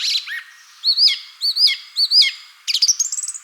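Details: Song thrush singing in woodland: a short mixed note, then a clear arching whistled phrase repeated three times at even intervals, ending in a rapid run of high, thin notes that rise in pitch.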